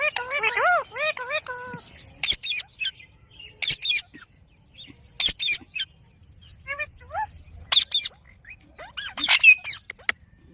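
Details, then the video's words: Ring-necked parakeet talking, beginning with a run of wavering harmonic syllables, followed by scattered sharp clicks, brief chirps and short squawky bursts separated by quiet gaps. "Parrot Talking video | Parrot Natural sound | Ringneck Talking"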